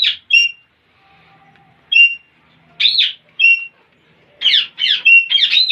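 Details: Parrots making funny noises: short clear whistled notes, each with a slight downward slide, alternating with rougher squawks that bunch into a quick series at the end.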